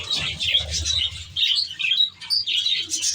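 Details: Budgerigars in an aviary, short bright chirps and warbled squeaks from several birds in quick succession, with a low rumble at the start.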